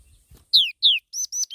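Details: Black-throated laughingthrush giving two loud, sharply falling whistled notes, then two shorter, thinner high notes, with a faint low rumble just before.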